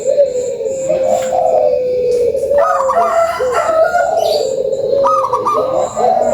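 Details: Zebra dove of a local strain pouring out a lure call: a sustained level coo, then a busy run of rolling, warbling coo notes with brief sharp clicks.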